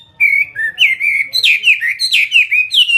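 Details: Fighting-type Chinese hwamei from Vietnam gives a brisk run of clear whistled slurs. Short steady notes give way to louder swooping, downward-bending phrases in quick succession.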